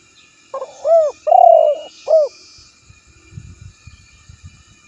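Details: Spotted dove calling to a rival, recorded for luring: a low cooing phrase of a short note, a rounded coo, a long wavering coo and a final short coo, followed by faint low rustling thumps.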